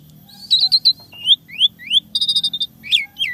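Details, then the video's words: Asian pied starling singing a lively, varied song packed with imitated fill-in phrases: clustered high chirps, then a run of rising whistled slurs, a rapid burst of stacked clipped notes and a final rising-falling whistle. "Jalak Suren Isian Tembakan Mewah Gacor Full Isian Suara Unik Kreasi Terbaru"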